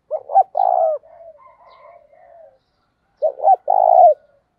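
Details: Spotted dove in 'thúc' cooing of the Đấu Bổi type. A stuttered double coo leads into a long, full coo, then gentle trailing murmurs, then the same loud pattern repeats after a short pause.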